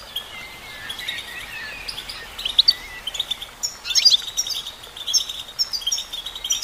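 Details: Female goldfinch singing: soft thin whistles at first, building into lively twittering phrases of sharp, high chirps that grow denser toward the end.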